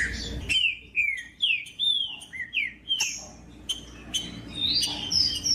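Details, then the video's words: Green-winged saltator song played to encourage other saltators to sing: a clear series of about a dozen rich whistled notes, each sliding downward, delivered briskly and ending with higher rising phrases, over faint hum. "COM TRINCA FERRO CANTANDO O MELHOR VÌDEO PARA ESQUENTAR TRINCA FERRO"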